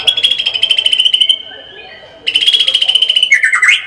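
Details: White-rumped shama in 'gacor full tembakan' song. A steady high rattling trill gives way to a softer held whistle. A second burst of trill follows, closing with quick falling and rising slurs.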